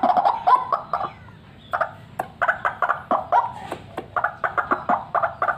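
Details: Fighter white-breasted waterhen calling for use as a lure: a short rush of hoarse notes, a pause, then spaced croaks that quicken into an evenly pulsed series.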